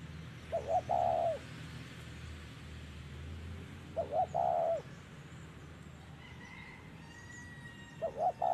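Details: Spotted dove during decoy trapping, three paired coo phrases spaced roughly every three to four seconds, a short note then a longer low coo, with distant bird whistles in the background.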